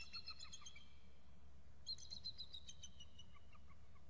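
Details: Excited calling from two eagles at their nest, a young bird sitting in a nearby fir: two bursts of fast, high, squeaky chittering separated by a short pause, with a low steady hum underneath.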